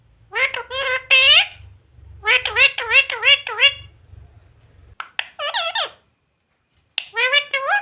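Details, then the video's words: Talking parrot repeating word-like phrases in a squeaky, nasal voice, bursts of rising and falling syllables with pauses between groups, indoors with a faint low hum. "parrot talking"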